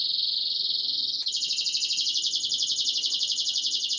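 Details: A canary sings a continuous, very fast high trill that jumps to a higher pitch after about a second and rolls on steadily. Played as breeding conditioning to stimulate females.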